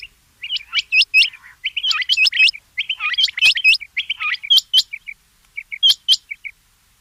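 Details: Rain quail sounding rapid, high, metallic chirps in pairs and clusters, delivered in uneven bursts with short gaps, clear against a quiet background.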